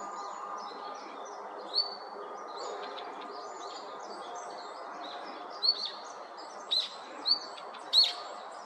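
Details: Red-flanked bluetail calling when other mountain birds flock in, taken for excitement: short, sharp, high upslurred notes, one near two seconds, then a cluster of four between about five and eight seconds, over a steady low background hum.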